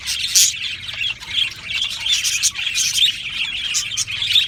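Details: Several budgerigars chirping happily in an aviary: a loud opening tweet, then sustained high, scratchy chattering and warbled phrases from many birds at once.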